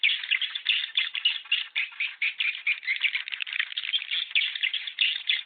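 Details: Swiftlet calls played to attract passing swiftlets into a new bird house: a dense, continuous chattering twitter of many overlapping rapid notes, steady without pause.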